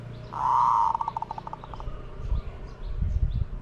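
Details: Decoy spotted dove luring wild doves gives a single loud coo: a sustained smooth note followed by a run of quick, fading pulsed notes, then low rumbling background and faint high chirps.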